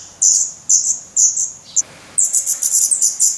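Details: Hungry feathered Black Redstart nestlings in the nest, Portugal, 17 May 2020: very high, hissing begging calls in short bursts, first spaced about half a second apart, then a rapid run of many quick calls.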